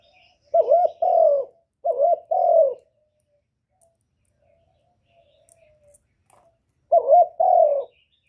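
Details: Decoy spotted dove cooing to lure wild doves: two quick paired phrases of a short wavering coo and a longer sliding coo, a long silent gap, then one more pair.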